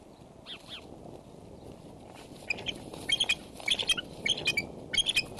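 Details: Female bald eagle at the Decorah nest on 30 January 2012 around midday, opening her wings and setting a foot on the male's back to start pair bonding while softly vocalizing; thin high chirps come in quick uneven bursts over steady background hiss.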